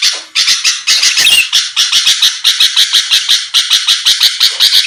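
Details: Sooty-headed bulbul in full song, played to provoke a quick response from rivals: nonstop scratchy, rasping notes pulsing several times a second, with one brief whistled flourish.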